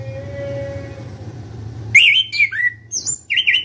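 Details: Loud open-beaked song of an Orange-headed thrush: after a hum-filled pause, a lively string of varied whistled and slurred phrases, some rising, some dropping, with high squeaky notes between.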